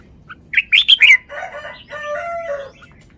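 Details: Caged red-whiskered bulbul showing off its song style: a burst of loud sharp chirps, then rich warbled phrases with sustained whistled notes.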